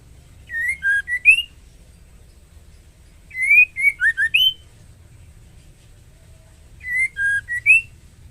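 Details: Breeding female white-rumped shama calling to a male, giving three bursts of short clear whistles, partly slurred upward, with pauses of about two seconds between phrases and a quiet background.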